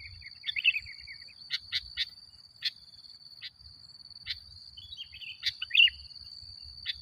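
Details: Sooty-headed bulbul singing hard, played to provoke other bulbuls: an opening warbled phrase, a run of sharp clicking notes, then another bubbly burst, all over a constant shrill whine.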